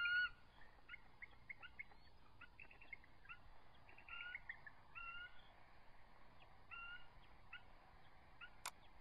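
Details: Resident eagle pair calling at the nest as an adult intruder arrives, March 23, 2014 evening; fairly faint stuttered piping notes in loose clusters over constant hiss, ending with a sharp click.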